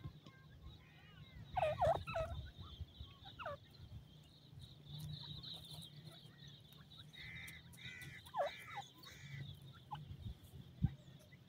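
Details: Young pheasant chicks in woodland answer an adult's call with a few clustered, descending peeps early on, scattered single notes, and a later burst of short rounded chirps, set against a constant low hum and high whine.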